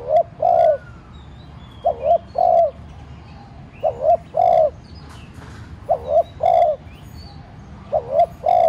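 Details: Decoy spotted dove cooing to provoke other doves into calling: low soft coos in paired and triple groups, repeated about every two seconds. Faint thin chirps from other birds are heard above.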